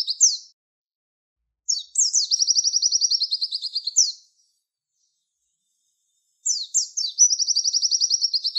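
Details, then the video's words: Javan white-eye tutor song for training songbirds, said to be liked by contest judges: bursts of high, rapid, trilled notes, each phrase opening with a few sharp down-slurred chirps and then a long buzzy trill, separated by silent gaps. "MASTERAN PLECI TEMBAKAN WIT WIT"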